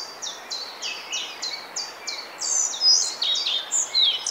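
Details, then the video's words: Singing male Collared Flycatcher, Bavaria, Germany, in May 2020. Opens with a run of about eight evenly spaced, high, thin notes, each sliding downward. It moves into a quicker, jumbled phrase of squeaky, wheezy whistles at varying pitches. "Halsbandschnäpper mit Gesang – Collared Flycatcher singing (Ficedula albicollis)"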